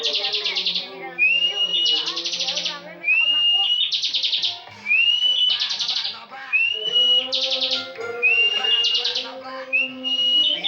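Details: Kept as a competition bird, this bar-winged prinia sings continuous full ngebren: a run of phrases, each a sweeping rising whistle plus a dense buzzing trill, about every one and a half seconds.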